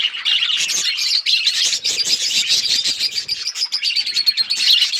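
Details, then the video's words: Several budgies chirping on February 18, 2024: dense, scratchy chatter of quick high chirps and warbles overlapping without pause, several birds calling at once, no other sounds standing out. "budgies bird birds chirping sounds"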